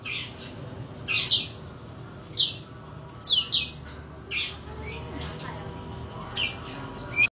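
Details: Caged Medan-type white-rumped shama giving loud fighting-style song: sharp, explosive high notes about one per second, interspersed with softer chirps, indoors.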